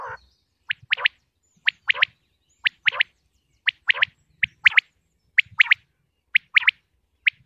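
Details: Common quail from Pakistan (batair) calling steadily: clean, sharp three-part phrases, a lone note then a rapid double, repeated about once per second with little else audible.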